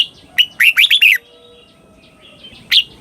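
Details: Red-whiskered bulbul in Thailand giving the slow, clear doubled southern master-style song for young birds to copy; one tight run of four or five rolling whistled notes, then a single sharp note.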